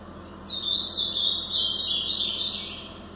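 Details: Blue-black grosbeak in brown plumage, Paraná song style: one continuous warbled phrase of about two and a half seconds, fluid slurred whistles gently rising then falling, over faint steady hiss.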